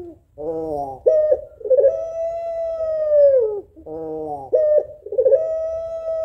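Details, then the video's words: Calling female puter pelung African collared dove seeking a male: a nasal buzzy note, a quavering rolled phrase, then a long level coo ending in a slide down, repeated twice. "SUARA SEDIH BURUNG PUTER PELUNG BETINA MEMANGGIL JANTAN PASTI LANGSUNG NYAUT"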